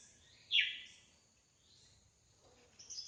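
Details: Wild drongo giving one loud, strongly descending whistled note, then a long quiet pause before a brief high chatter at the end, over low environmental hiss.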